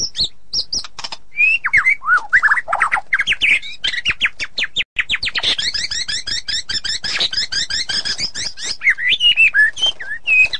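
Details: White-rumped shama pouring out a long, dense song of rapid warbled and rattling notes with downslurred whistles, nearly unbroken throughout.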